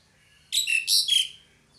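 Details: Single loud pied myna call of three rasping, squealing notes run together, the last slurring downward.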